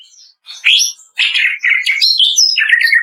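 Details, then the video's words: Kretekan song of a greater green leafbird, master audio to prompt birds to sing: harsh rising note, short gap, then a loud burst of scratchy chatter mixed with bright whistles and falling slurs. "SUARA KRETEKAN DAHSYAT CUCAK IJO"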